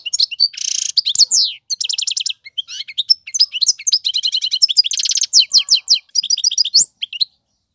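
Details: European goldfinch male singing a tutoring song for young birds: a nasal buzz, then varied rapid twitters, clicking trills and high sliding notes in quick succession.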